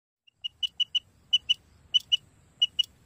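Rain Quail giving sharp, metallic high notes in quick pairs, each pair about half a second apart, against a faint low rumble.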